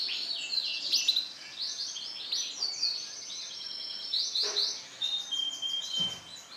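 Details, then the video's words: Bright lemon-coloured male canary giving a steady, high twittering song of mixed trills and thin whistles, with a couple of low knocks in the background. "CANARY JANTAN WARNA LEMON CERAH"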